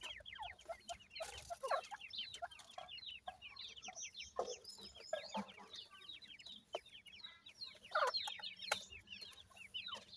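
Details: A group of Grey francolin chicks, males and females from a breeding setup, produces a continuous chatter of quick, high, downslurred peeps with brief louder clusters throughout.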